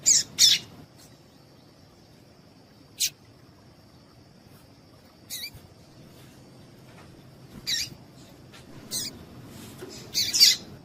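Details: Female Double-collared Seedeater calls used to stimulate males to sing: short, sharp, high chips, singly or in quick pairs, at uneven gaps of one to two seconds, over a faint steady high whine.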